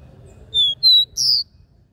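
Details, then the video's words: Capped seedeater giving the regional three-note "dó ré mi" song, offered for firing up other caboclinhos: three clear, pure whistles, each about a quarter second long, stepping upward in pitch with brief gaps, over a faint low hum. "CANTO DO CABOCLINHO DÓ RÉ MI 3 NOTAS REGIONAL"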